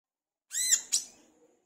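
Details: Olive-backed sunbird, called wiceh or kolibri kelapa, vocalizing actively for use as a lure: a single high, grating note that ends in a sharp, sudden burst, with nothing else audible.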